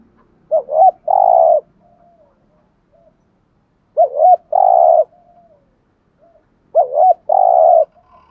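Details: Spotted dove calling in thúc gù fashion to attract wild doves: three phrases about three seconds apart, each a quick double note followed by a long burry coo, with soft trailing notes in between.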